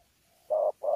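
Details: Wild-caught spotted dove in Sa Thầy, Vietnam, recorded 26 November 2019, in 'đấu' cooing with 'gù': a faint thin whine, then two low, steady, hollow coo notes in quick succession.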